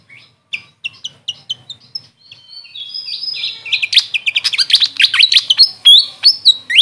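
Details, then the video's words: Grey fantail, called Maria Capra locally, opens with evenly spaced thin high peeps, then breaks into a loud, rapid, chattering cascade of squeaky notes. "Grey Fantail bird call||huni ng Maria Capra kung sa amin tawagin"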